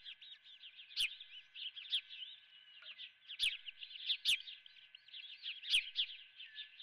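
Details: Osprey at its nest with a live golden fish for breakfast; rapid high whistled chirps run continuously, with sharp clicks roughly every second and a steady faint hum underneath.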